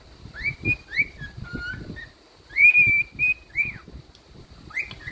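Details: A pet hand-fed cockatiel sings in September, whistling a song of clear, sliding notes that rise and fall in short phrases.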